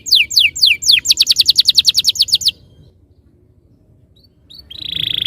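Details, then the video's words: Canary song used as a training lure (masteran) to prompt canaries to sing and roll quickly: fast series of bright, downward-sweeping whistled notes in rapid rolls for about two and a half seconds, then quiet, ending on a steady high tone. "Suara mastetan burung kenari _ PANCINGAN AMPUH KENARI BIKIN CEPAT BUNYI NGEROL GACOR"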